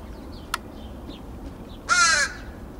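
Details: Backyard crow in Edmonton, Alberta, Canada, on 28 August 2012, one of two visiting birds, one of them going grey: a single harsh, raspy caw near the end, after a man's quiet talk and a click, over steady background hiss.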